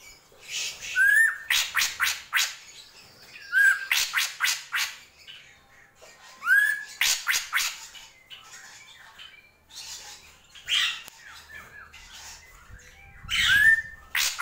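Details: Drongo in gentolang-style song. Short rising whistles each lead into a rapid volley of harsh buzzy notes, repeated several times, with quieter chattering in the gaps and a faint low hum near the end.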